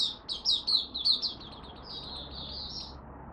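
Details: An Oriental white-eye (Malaysian) sings a high, thin, rapid twittering song in its first warm-up of the day, 1 August 2023: a burst of quick sliding notes, then a softer running warble. Faint background hiss.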